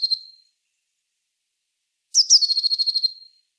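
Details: Eurasian blue tit giving a high, bright phrase: two sharp starting notes, then a fast repeated trill on a steady pitch for about a second, preceded by the tail of an earlier trill.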